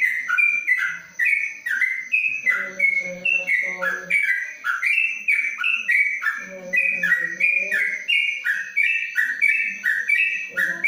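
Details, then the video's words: Caged yellow-vented bulbul in Kebumen, kept under a cage cover, sings an extended ropelan panjang run of rapid whistled phrases without a break, with low murmuring voices at times. "Trucuk Ropelan Panjang dalam krojong"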